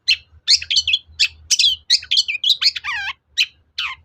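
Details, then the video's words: Long-tailed shrike song used as a lure to rouse other shrikes into replying: a jumble of scratchy chirps, rapid trills and a descending warbled phrase, packed into a busy four-second burst. "SUARA PANCINGAN BURUNG CENDET AGAR EMOSI & NYAUT GACOR"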